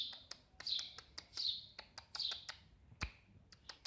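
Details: Eurasian tree sparrow giving bright, high chirps in small bursts about every second, with frequent sharp ticking clicks between them and one loud knock near the end.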